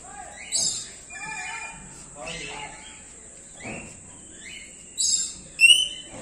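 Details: Common hill myna at Jamshedpur Zoo after lockdown, mimicking human speech such as "hello": harmonic, voice-like phrases mixed with whistled notes, then two sharp, loud calls near the end over a steady high hiss.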